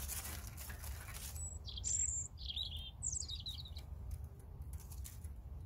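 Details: European robin singing: thin, high warbled phrases with quick trills and squeaky slurred notes in a short burst, then a pause, over steady low rumbling background noise.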